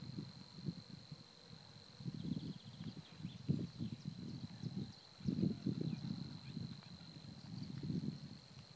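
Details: Savi's warbler singing in Týnecké mokřiny nature reserve on 16 April 2016: a steady, high, insect-like reeling buzz runs unbroken through the clip, partly covered by loud low rumbling bursts of background noise.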